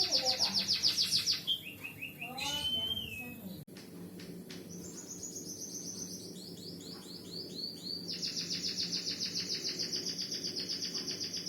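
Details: White-headed munia singing a canary-learned song: a high rapid trill, a warbled descending phrase, a sharp click, then series of slurred high notes building into another long fast trill.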